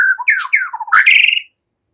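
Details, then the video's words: Relaxed white-rumped shama chatter that mimics cililin and ciblek, for drawing out songbirds: a quick sequence of slurred whistles dipping and rising, ending in a short high buzzy trill. "Ocehan SANTAI MURAI BATU, NEMBAK CILILIN SAMBUNG CIBLEK cocok buat Pancingan"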